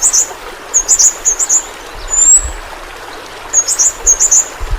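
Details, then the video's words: High-pitched twittering from the Bornean pentis pelangi flowerpecker, played to train pet birds: short clusters of buzzy squeaky notes, a long thin whistle mid-way, then more twitter groups. "Burung Pentis Pelangi Masteran Bagus Untuk Burung Figther"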